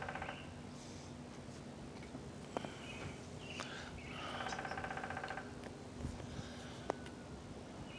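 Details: A lone woodpecker living next door calls loudly on a Sunday morning, its former neighbouring mate no longer answering; a fast, rattling series of buzzy pulses lasts about a second, with faint chirps from other birds and steady background hum.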